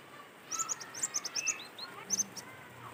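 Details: Cinereous tit song recorded in nature as a lure for other birds: a fast string of high, clipped chips, then a couple more. Lower soft whistles from other birds run underneath.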